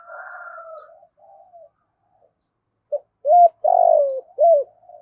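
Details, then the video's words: Decoy spotted dove calling wild birds. Faint wavering coos are followed by three loud, rounded coo notes, the middle one longest and falling in pitch. "Tiếng chim cu mồi gáy gọi bổi, tiếng cu gáy kích bổi"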